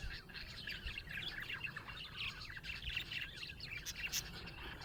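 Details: Colourful Australian budgerigars kept as pets chirp happily in a lively flock chorus of quick twittering warbles and chattering notes, steady throughout, over faint low background noise.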